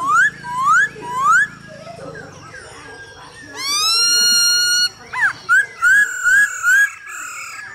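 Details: Hwamei cock singing to a hen's calling, used as a singing trainer: upslurred whistles repeated three times, a long rich whistled note, then quick clipped notes repeated in a steady series.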